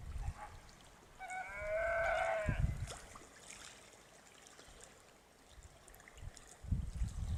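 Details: One greater flamingo honk, nasal and goose-like, lasting just over a second, with low thumping noises before and after.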